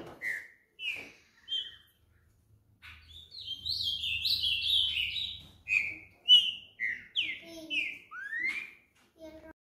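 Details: "Boi" style song of a rufous-browed peppershrike, a rapid run of clear whistled notes, some rising and some falling, bunched into a dense warbling burst midway and ending in an upslurred whistle; faint low hum beneath.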